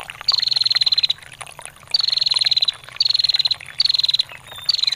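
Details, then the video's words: Female bar-winged prinia giving long 'ngetir' calls, recorded for training songbirds and luring wild males: four rapid, high, slightly falling trills of under a second each, roughly one per second, over trickling water. "SUARA PRENJAK BETINA GACOR NGETIR PANJANG"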